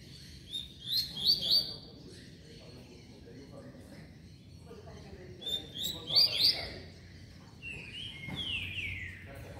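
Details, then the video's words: Young coleira aged five months and twenty days singing short bursts of high, sharp chirps and trills, grouped in quick runs with pauses between, plus a falling whistled slur near the end; faint talking and room noise underneath. "coleira com 5 meses e 20 dias"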